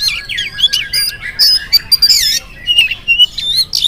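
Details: Loud morning song from an oriental magpie-robin, meant to draw replies from other magpie-robins. Harsh rasping phrases mix with high, twisting whistles and quick chirps, delivered almost without a break.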